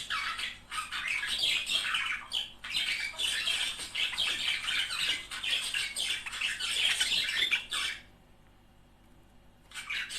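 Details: Budgerigar couple, warbling to stimulate mating; about eight seconds of dense scratchy chatter and squeaks, a two-second silence, then singing resumes.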